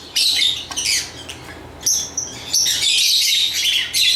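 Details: Sharp, shrill lovebird chirps come in short bursts, followed by a longer run of buzzy, squeaky chattering in the second half.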